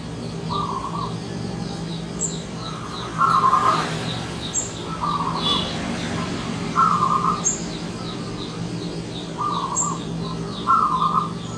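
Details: Morning song of a wild zebra dove, with short bubbling, trilled cooing phrases repeated every one to two seconds, some louder and quavering. Thin high chirps from other birds are scattered throughout over a low constant hum.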